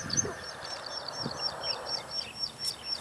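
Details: Plain prinia of the Taiwan endemic subspecies flavirostris at Dianbao River, Taiwan, on 2 June 2019: faint, high, thin notes repeated steadily about twice a second over low rumbling background noise.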